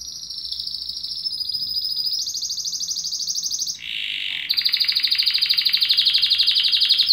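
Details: Loud canary song made of long rapid high trills, shifting once to a lower rolling trill and then back to a fast, very bright pulsing trill.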